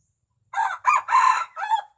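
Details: Red junglefowl crow: four quick harsh syllables over about one and a half seconds, the third longest and loudest, the last dropping and trailing off, against a quiet background.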